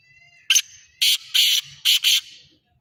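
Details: Black francolin, known locally as kala teetar, giving a harsh, grating call: one short note, then two broad rasping notes and a final rapid pair, all high and scratchy in a quiet setting.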